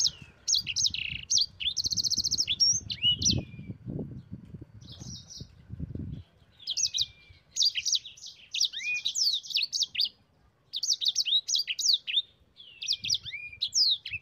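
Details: Sanger, the yellow-fronted canary, delivering a long rolling song used to train other songbirds: fast buzzy trills and sharp slurred whistles in phrases separated by brief pauses, over light low-pitched background noise.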